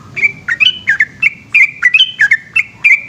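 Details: Long nighttime 'ropel' song of a yellow-vented bulbul: clear, liquid two-tone whistles flipping between high and lower pitch, tumbling out about every quarter second over a faint low rumble.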